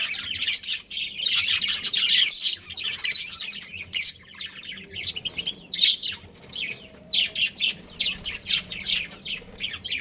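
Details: A budgerigar breeding pair and family keep up constant lively chattering. Dense high chirps and warbles overlap with almost no pauses for ten seconds.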